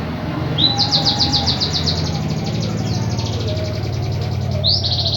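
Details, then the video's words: White-headed munia with an unusual song: a long, fast trill of high, thin buzzy notes, steady for several seconds and ending in a brief upslurred note, over a constant low rumbling background. "EMPRIT KAJI ISIAN UNIK"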